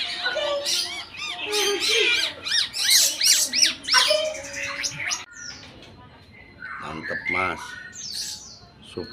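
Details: Tame red-eyed bulbul in full, varied song: a dense burst of bright, arched whistles and chirps for about five seconds, then quieter scattered notes with a male voice talking in the background.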